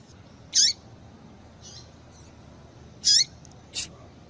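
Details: Female double-collared seedeater, calling to excite a male, utters crisp high chirps that drop at the tail, two strong notes and a few fainter ones over soft hiss.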